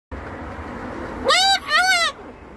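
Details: Moluccan cockatoo giving two loud, nasal, arching screeches in quick succession, each rising then falling, after a second of low background noise.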